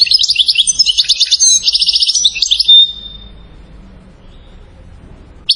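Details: European goldfinch from Settat, Morocco, celebrated as a champion singer, pouring out quick tinkling twitters ending in a drawn whistle, then silence with a brief final note.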